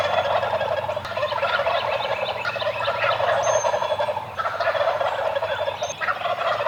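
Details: Several eastern wild turkeys (Meleagris gallopavo silvestris) gobble on the roost in the morning, calling over one another in near-continuous, rapid, rattling bursts, with a couple of thin, high whistles from small birds behind them.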